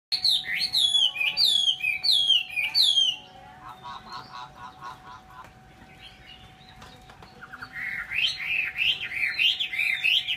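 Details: Chinese hwamei singing loud, rich whistled phrases with rapid slurred notes for three seconds, a quieter stretch of soft repeated chips, then a renewed burst of bright rising-and-falling whistles; a faint steady hum runs underneath.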